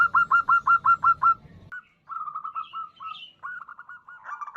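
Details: Local female zebra dove calling to attract a male, a lure recording: a brisk even series of sharp repeated notes, then a break followed by softer, uneven runs of similar notes.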